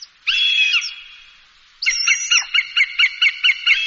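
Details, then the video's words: Hawk call played as a bird scarer: a drawn-out, steady ringing cry with bent ends, a quiet gap, then a quick regular run of short sharp notes about four per second. "ZVUK JASTREBA. Rastjerivač ptica. HAWK. The sound of a hawk. The dispersal of birds"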